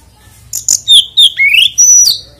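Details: Oriental magpie-robin song aimed at getting other magpie-robins to sing: a short, loud phrase of high chips, a clear whistle, a long rising sweep and a sustained high note.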